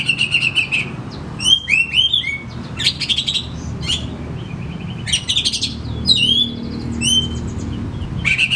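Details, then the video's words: Oriental magpie-robin (kacer), kept as a cage bird, in full varied song played to lure reluctant birds to sing: buzzy rattling bursts mixed with bright downslurred whistles and quick chirps, separated by brief pauses, over a low background hum. "Sekali Putar Kacer Macet Bunyik Langsung Bukor Bongkar materi"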